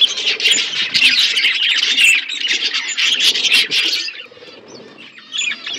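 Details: Many budgerigars chattering together while eating winter food: a rapid, overlapping stream of high, scratchy chirps and warbles, thinning out toward the end to a few separate calls.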